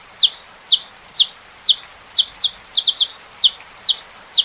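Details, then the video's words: Saffron finch song over a rain-like hiss: high, bright chips that slide steeply downward, each with a short clipped note before it, repeated about twice a second in an uneven, lively series of eleven. "CANTO. CANÁRIO DA TERRA COM SOM DE CHUVA"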